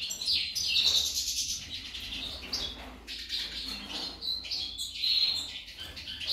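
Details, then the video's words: Female goldfinch singing, said to sound like a hummingbird: rapid high twittering and thin chirps in bursts, with brief pauses near one and a half and three seconds, over a faint low hum. "Impresionante la jilguera parese un colibri"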